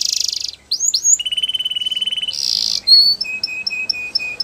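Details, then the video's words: Canary training song with a buzzy burst, a few curved whistles, and a sustained low rolling tour with faint overtones. After a second buzzy block it closes with evenly spaced, clear, high double notes. "Canaries Singing !! The Best Canary Training Song"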